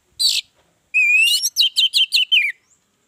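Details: Orange-headed thrush singing as a lure to set other birds off: a short harsh burst, then a long rising whistle running into a quick series of five or six slurred, descending whistled notes.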